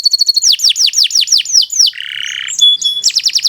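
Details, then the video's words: Nusantara canary singing for tutoring other birds: quick chips, a series of falling whistled sweeps, a harsh buzz, then thin whistles and more rapid sweeps. "Kicau Burung Kenari 173 II LUAR BIASA GACOR PANJANG Cocok untuk Masteran"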